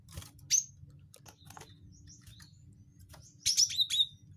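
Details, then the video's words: Cinereous tit (gelatik batu wingko) call used as a lure for birds: high, sharp chipping notes in short bursts at the start and near the end, with faint scattered chirps between over a low background hum. "pancing bunyi gelatik batu wingko"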